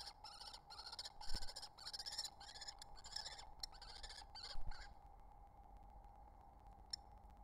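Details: Wild male kestrel feeding his mate at the nest: about eight harsh, harmonic-rich calls come in quick succession over five seconds, then fade to quiet over a steady hum.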